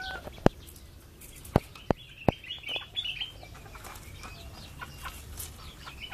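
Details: Chick and mother hen in a backyard: four sharp knocking clicks early on, then a cluster of high, slurred chirping peeps, with soft rustling and faint clucks around them.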